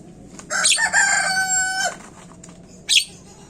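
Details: Javan myna lure sound to make birds call fast: a loud, rich, nasal drawn-out note with a brief stutter, then one sharp harsh burst a second later.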